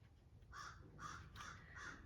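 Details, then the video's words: Loud crows calling outside; four harsh, hoarse caws spaced about every 0.4 seconds after a quiet start, with faint low background hum. "Geez, they're so obnoxious, these birds."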